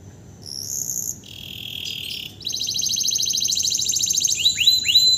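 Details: Canary used as a master vocal tutor bird, singing strongly right after moulting without any conditioning; high whistled notes, then a fast even trill of repeated chips, ending in quick rising sweeps.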